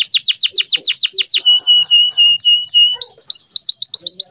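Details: Young canaries are trained with this clear song of a male canary: a rapid series of steeply falling notes, a held flat whistle dotted with high chips, then quick rising whistled notes at the end.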